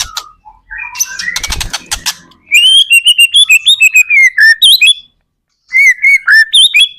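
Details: White-rumped shama lure song to get other shamas singing: an opening burst of harsh rattling noise, then a bright series of repeated whistled notes with slurs and rapid trills, a pause, and more whistles.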